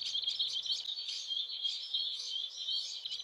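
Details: Prinia song played from a phone MP3 near the ground to lure wild prinias: rapid, high, thin chirps and twitters run together without a break, sounding slightly compressed.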